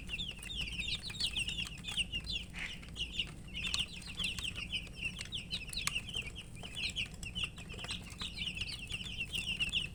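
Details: Young chicks, thirsty for water, peeping continuously while eating: many overlapping high, short, downslurred chirps in quick succession, with pecking taps and low background hum.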